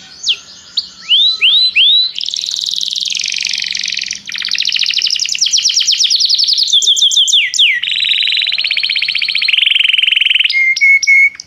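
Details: Canary singing to prompt another canary, as song training: a few rising slurs, then long varied trills of rapid repeated notes in successive tours, ending with short steady whistles.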